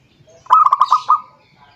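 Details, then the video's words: Zebra dove calling a rival, heard as a lure: a single rapid phrase of six hollow, pulsed coos at a steady pitch, over in under a second, with faint hiss behind. "suara perkutut memanggil lawan"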